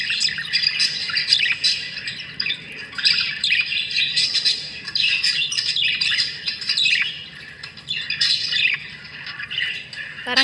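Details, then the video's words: Budgerigar flock warbling and chirping nonstop, fast scratchy notes rising and falling in bursts, with brief quieter gaps and a faint low voice at the very end. "Budgie sound"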